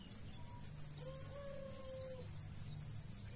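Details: Blue-black grassquit nestlings being fed by a pair of parents: rapid, very high thin squeaky notes repeated several times per second without pause, with a faint steady lower whistle-like tone in the middle and low background rumble.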